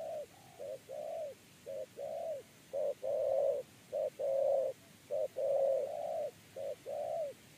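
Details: Spotted dove (Spilopelia chinensis) gives soft, low, hollow coos, short notes alternating with longer drawn-out ones, about a dozen in seven seconds, against a quiet background.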